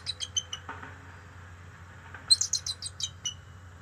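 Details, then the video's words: Bald eagle alerting at its nest territory in October 2023 during a young male's visit: a short run of high, piping chirps, a brief pause, then a quicker rattling burst of squeaky notes that fades out. "Young Male ? Eagle Visits Three Times Alerting"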